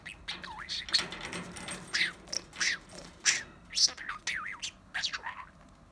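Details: Pet budgie, a male that talks all day, mimicking human phrases: a rapid run of chattering, squeaky syllables with rising and falling slurs, in short bursts roughly every half second, over quiet indoor background.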